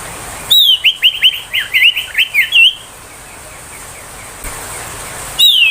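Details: Ashy tailorbird 'tembakan' song for bringing young tailorbirds into song: about nine quick, crisp, chirping whistles in an even run, then silence and a fresh burst at the end.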